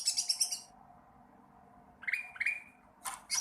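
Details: Sooty-headed bulbul learning to sing: a quick burst of high chirps, a pause, then two short rising notes and a final scratchy flurry.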